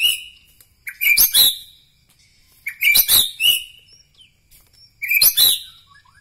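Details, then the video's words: White-rumped shama from Bahorok, Medan, singing in three short bursts about two seconds apart, each made of sharp high chirps and whistled notes with clicky accents, in an otherwise quiet setting. "ciri ciri murai batu Medan Bahorok"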